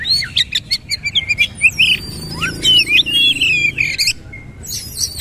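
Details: Oriental magpie-robin singing in a powerful bursting style while bowing repeatedly: a rapid run of varied clear whistles, slurred high notes and sharp chirps, with short breaks between phrases.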